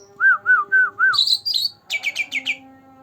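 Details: Green leafbird, only two months old, singing to prompt quiet birds: four clear slurred whistles repeated evenly, then high squeaky chirps and a rapid run of five descending buzzy trilled notes.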